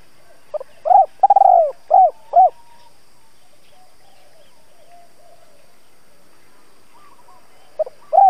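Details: Decoy spotted dove cooing to provoke wild doves into responding: one phrase of low, soft hoots with a quick trill in the middle and two closing coos. Near silence follows, then the start of the next phrase.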